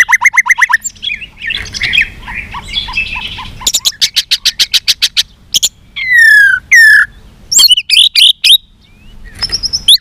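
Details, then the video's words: White-rumped shama giving a fighting song while flicking its tail, with many varied voices: rapid repeated whistled notes, scratchy warbling, a fast buzzy pulse series, then slurred descending whistles and sharp high phrases. "chòe lửa hót đánh đuôi thái độ.kích chòe lửa hót đấu. chòe lửa hót nhiều giọng căng lửa"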